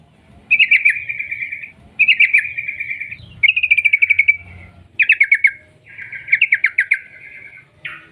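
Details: Yellow-vented bulbul singing as a lure for other bulbuls: five bright phrases, each opening with a sharp note and trailing into a quick buzzy flutter, spaced about every one and a half seconds over a low background murmur.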